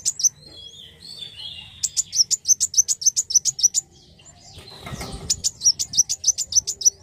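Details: Black sunbird (kolibri wulung) giving thin twittering notes, then two strings of rapid high chips, broken midway by a burst of rustling noise.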